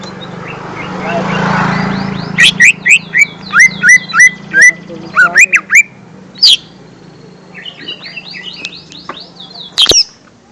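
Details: Lure song of a lesser green leafbird, meant for young birds: after a soft hum, a lively series of rising whistled notes and sharp chips, briefly pausing, then quieter twittering and a final bright chip.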